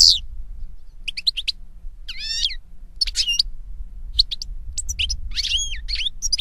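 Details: European goldfinch song in the wild: scattered bright chirps and rising, warbling notes in short phrases with pauses, faint low hum behind.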